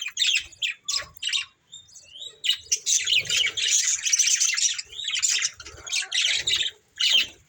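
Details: Breeding pair of pet budgerigars chirping together indoors; dense overlapping harsh squawks and chattering chirps, nearly continuous with brief gaps, some rising whistled notes, faint low thumps beneath.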